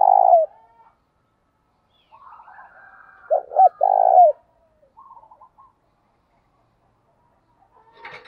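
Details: Spotted dove coo meant to rouse doves to fight and coo: a long, rough, falling coo, soft murmuring notes, then two clipped coos and a long one, a few faint chirps, and a click at the end.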